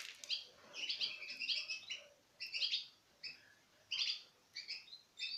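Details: Captive pairs of citril finches, recorded in 2016 while eating from the hand, give thin, metallic, high-pitched twittering chirps in quick bursts of several notes every second or so.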